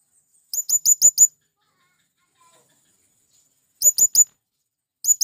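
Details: A male blue-crowned hanging parrot calls for companions to attract wild birds: a run of five sharp, high chirps, a long pause, then four more and the start of another run.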